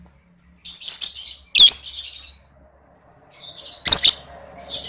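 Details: Lovebird giving high, buzzy chattering bursts, a long trill known as ngekek, used as a lure to stimulate other lovebirds; dense bursts arrive at uneven intervals with quiet gaps between them and faint low hum underneath.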